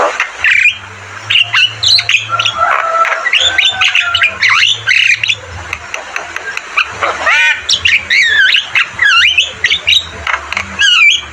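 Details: Javan myna singing vigorously, a dense medley of rising and falling whistles, buzzy slurs, clicks and squawky phrases, some notes held long and others clipped short, with a faint low hum underneath.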